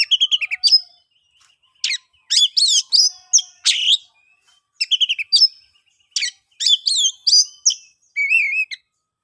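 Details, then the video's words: Oriental magpie-robin song in the ngeplong style, a lure for silent birds: fast chattering runs, sweeping whistles and harsh buzzes in bursts, ending on a wavering whistled note. "KICAUAN ASLI KACER NGEPLONG, paling ampuh di jadikan pancingan kacer macet & bisu jadi GACOR"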